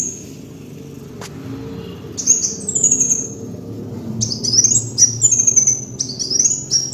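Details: Singing kolibri wulung sunbird used as lure: after a quiet start with a single click, high thin trills and sharp rising chips come in quick repeated bursts, over a murmuring low background hum.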